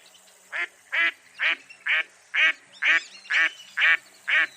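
A mottled duck gives nine harsh, nasal quacks, evenly spaced about two per second, with a faint background hum.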